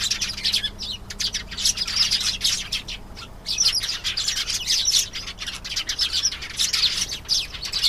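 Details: Canary song of fast, bright twittering phrases and trills, high and continuous with brief pauses between bursts.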